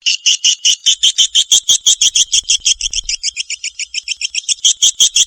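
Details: Swiftlet from Kalimantan: a steady series of short, bright two-toned chirps, about three each second, running evenly throughout with a slight rise and fall in pitch, and no other sounds.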